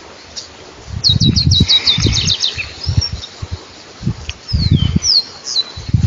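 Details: Wild saffron finch in natural habitat: a rapid series of about eight sharp, descending high notes, then a few separate slurred whistles, with intermittent low thumps and rustling.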